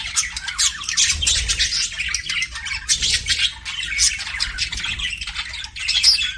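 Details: Chirping pet budgerigars give a rapid, rattling warble of mixed squeaks and chatter, rising and falling in loudness across the recording.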